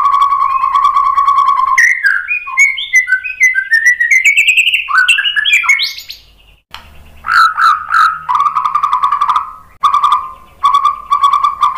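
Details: White-rumped shama lure song for prompting other birds to reply: low mellow whistles held long, a rising cascade of varied sweet notes, then loud pulsing whistled phrases repeated with short pauses between them.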